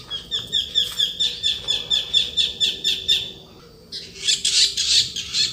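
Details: Blue-winged leafbird, locally called panca warna, giving a fast chattering song: short sharp notes repeated about three times a second for three seconds, a brief pause, then a louder harsh scratchy burst of rapid notes.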